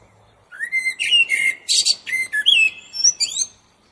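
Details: A single long phrase from a common blackbird: clear, flute-like whistles sliding up and down, mixed with harsh, squeaky high notes and a fading twittery tail.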